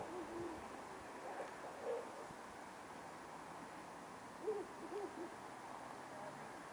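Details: Ural owl, one of a pair moving between power lines and antennas in town at night, giving a few soft, low, short hooting notes spaced a second or more apart against a steady background hiss.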